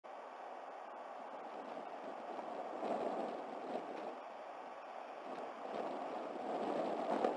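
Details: A broad rushing hiss of wind or moving water that swells and fades, with no animal calls.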